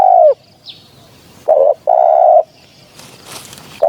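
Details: Spotted dove on a lure recording for hunting: deep husky coos, one short and one longer, in a quick pair, then a pause. Thin high calls of other birds and a brief rustling hiss follow.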